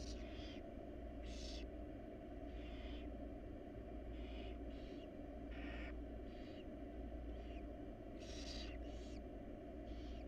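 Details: Wild barn owl family inside a research-monitored nest box, on a camera. Rough broadband hissing bursts of about half a second come irregularly, roughly ten in ten seconds, over a steady low electrical hum.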